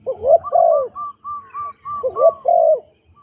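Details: Trained captive spotted dove used as a ground decoy: two loud throaty coo phrases bracketing a string of short, clear, whistled hoots.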